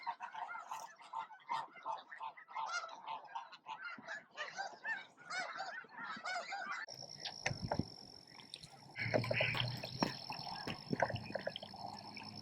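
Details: Snow geese massed at Bosque del Apache around noon, feeding and facing off for room; busy honking fills the first seven seconds, then a steady high whine and rumbling noise take over beneath sparser calls.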